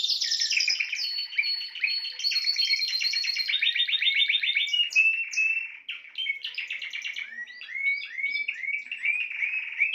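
A Spanish Timbrado canary sings a nonstop, high metallic song of fast rolling trills and repeated bell-like notes, shifting phrases every second or two.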